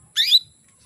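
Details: Short, loud, rasping high chirp of a female canary calling males and prompting them to breed, in a quiet room.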